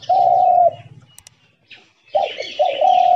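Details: Decoy spotted dove in a trap cage giving a long level coo, a pause with faint clicks, then a stuttered pair of short coos running into another sustained coo, with softer background chirping.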